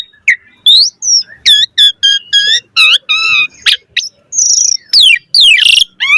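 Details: Asian pied starling singing actively while pumping, full of varied chatter: loud clear whistles, rising and falling slurred notes and harsh buzzy bursts in quick succession, with short gaps between phrases.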